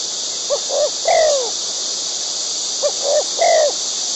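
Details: Two short bursts from a wild white-breasted waterhen feeding chicks, each of two or three low notes ending in a longer downslurred croak. A continuous high hiss is in the background.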